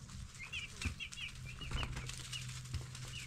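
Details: Several 10-day-old broiler chicks giving scattered high cheeps, spaced and fewer than usual, half-buried in rustling, clattering noise and a low hum.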